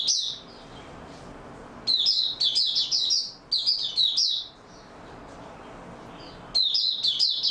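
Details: Oriental white-eye singing openly in stable form, recorded 28 February 2022; high, rapid twittering phrases of tumbling sweet notes, delivered in bursts separated by short pauses, in a quiet setting.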